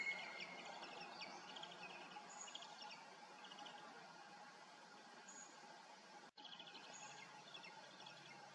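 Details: An eaglet calls to its parent on the evening of July 19, 2018: quick, rapid chirps in short bursts, about three a second, fade in and out, with faint high whistles overhead and constant hissing noise, plus one brief dropout.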